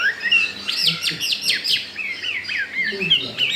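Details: Chinese hwamei, wild-caught and recently brought home, singing a burst of rapid downslurred whistles followed by twisting warbled phrases. A faint low murmur can be heard beneath.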